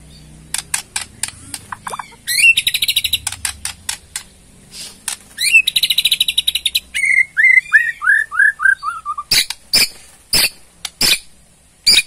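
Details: Borneo white-rumped shama delivering ketrekan to provoke a reply: rapid buzzy trills, a descending chain of slurred notes, and steady loud ticks, with faint background hum early on.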